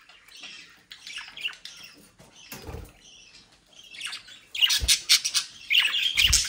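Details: Captive budgerigars from a home breeding group in the Den Haag region, South Holland, Netherlands: scratchy warbling chatter, then louder bursts of squawks near the end, with a few low thumps.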